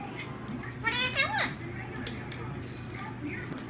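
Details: One of a pair of affectionate talking pet parakeets chatters a brief, high, scratchy run of speech-like syllables lasting about half a second, over a faint low hum.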